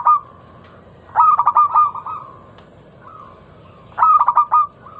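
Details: Local zebra dove lure song, meant to set other doves singing: loud, clear, ringing coos near one pitch, two bright rapid phrases of four or five beats separated by softer drawn-out notes, with a faint hiss behind.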